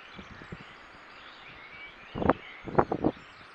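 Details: Mallard in a field in Cornwall during the early-morning dawn chorus, caught on a wildlife camera: one rough quack, then three quick harsh quacks in a short burst, with faint whistled birdsong and a quiet rural hush behind.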